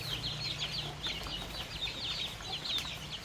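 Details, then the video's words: Baby chicks and young chickens enjoying fresh termites in the countryside, a close chorus of quick high peeps, each sliding downward, repeated densely by many chicks over a low rumble. "Baby Chicks & Young Chickens Enjoy Fresh Termites | Relaxing Farm Life | Natural Sounds"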